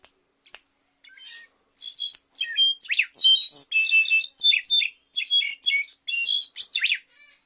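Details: A Brown-backed Solitaire (Myadestes occidentalis), the Mexican "jilguero" clarín singer, gives a continuous, high song of bright twittering and ringing phrases, with rapid notes of varying pitch in quick bursts.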